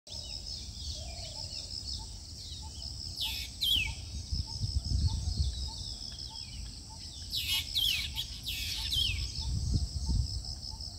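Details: Black drongo (Dicrurus macrocercus) at Harohalli Lake, Bangalore North, in mating season, exchanging calls with another drongo: bursts of sharp, harsh, steeply down-sliding notes in two clusters over a steady high insect hum, soft ticks and low rumble.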